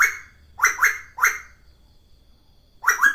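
A cuckoo gives harsh, nasal squawks, some doubled, five in about three seconds, with a pause before the last pair.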